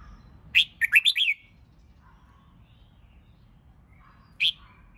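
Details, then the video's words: Red-whiskered bulbul being trained for competition singing delivers a rapid, lilting run of five or six liquid whistled notes, then a pause with faint soft warbles and one more sharp chirp. "Chào Mào Hót Kích Bổi YẾU LỬA LÊN LỬA!.. Luyện Chào Mào Hót Đấu Căng. Thúc Chim Sổ Giọng."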